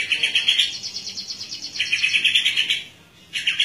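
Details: White-rumped shama in 'ngeplong' song, set out in the morning dew and calling for a rival; fast repeated bright chirping notes in two runs with a short silence between.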